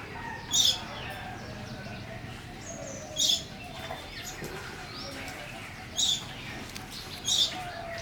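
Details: A wild Indian house sparrow on a pleasant early morning in the countryside gives four short, bright chirps at uneven intervals of a few seconds while flying to and from its nest, over a steady low hiss with faint notes from other birds.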